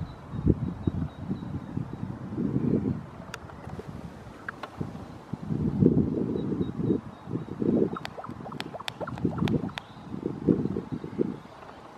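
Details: Gusty wind rumble and microphone buffeting, with a few sharp clicks and knocks and no animal voices.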